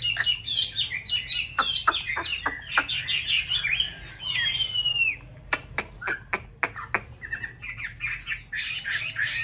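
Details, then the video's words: White Chinese hwamei singing and dancing in a conservation aviary in a mountain town while paired for nesting: rich warbled phrases, a long sliding whistle, then sharp, evenly spaced clicks and a bright closing burst. "họa mi bạch hót hay múa đẹp vào mùa xoáy tổ"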